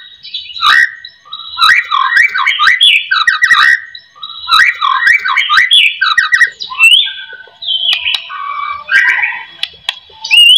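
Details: White-rumped shama song used as a lure to get other shamas singing: loud varied whistled phrases with sweeping and warbled notes, repeated in bursts about every one and a half seconds, then shifting to buzzier, higher trills.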